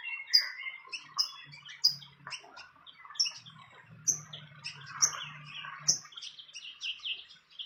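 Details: Wild fantail at its nest: sharp, high chirps repeat about once a second, mixed with softer twittering notes and a faint low hum.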